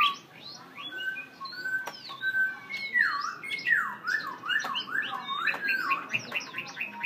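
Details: Tame Black-throated laughingthrush singing: rich, looping whistled phrases that swoop down and up in rolling waves, mixed with thin high notes and a few sharp clicks, delivered continuously.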